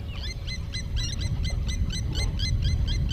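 Blacksmith Lapwing giving sharp, metallic 'tink' notes, three to four a second, like a hammer striking an anvil, over a heavy low rumble of wind.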